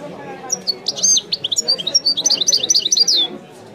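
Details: A European goldfinch delivers a dense, accelerating burst of high twitters and buzzy slurred notes in the Wiidani song style. The phrase lasts under three seconds and ends abruptly.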